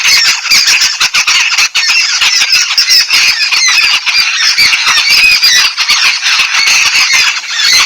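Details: Yellow-billed babblers bathing in Sri Lanka: a dense, continuous flock chatter of harsh, squeaky notes overlapping without pause, with scratchy rasps and quick rising squeals throughout.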